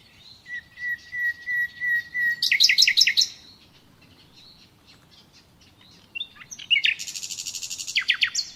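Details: Common nightingale singing: a crescendo of pure whistled notes on one pitch, then a rapid rattling burst, a pause, and a second phrase of fast harsh repeated trills.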